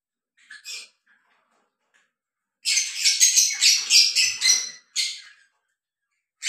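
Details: A breeding pair of lovebirds mating; a short burst of harsh, rasping squawks runs for about two seconds, with a few brief chirps before it and after it, in a quiet room.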